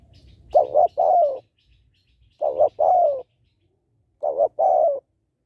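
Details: Hen spotted dove giving a call meant to rouse males, for training decoy birds: three cooing phrases, each a quick double coo followed by a drawn-out descending note, with faint low rustling beneath.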